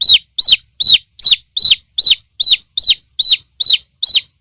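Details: Domestic chicks give sharp high peeps, each briefly rising then falling, repeated regularly about every third of a second on a quiet background.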